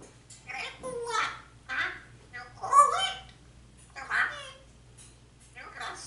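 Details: African grey parrot inside a home mimicking Spanish speech, calling its owner and requesting turkey and chicken; a string of word-like syllables in irregular bursts, some louder and higher than others.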